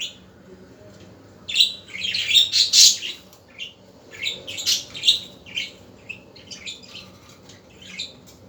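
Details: Budgerigars chattering in the afternoon, starting quietly, then breaking into a rapid run of buzzy chirps and warbles around the middle, fading to scattered soft twitters.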